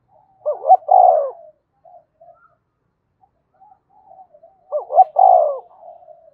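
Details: Decoy spotted dove of field stock calling to provoke and summon other doves: two mellow phrases about four seconds apart, each a quick double note then a longer low coo, with faint soft notes between.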